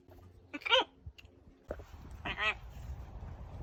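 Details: Greyson, a talking pet macaw, outdoors in his aviary in summer, gives two short, nasal, voice-like utterances about two seconds apart, over soft outdoor background noise and his owner's quiet voice.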